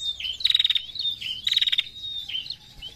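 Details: Narung call of a female prinia, very vocal: two dry, rapid rattled bursts about a second apart, each a high trill of clicking pulses, joined by thin, slurred chirps rising and dipping around them.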